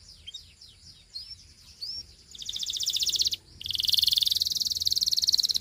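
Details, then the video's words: A canary, said to be a Gloster, sings to prompt other canaries to sing: a few sweet rising whistles, then long, fast, buzzy trills rolling at high pitch, broken by one brief pause. "Gloster Canary Seducing Friends to Sing!"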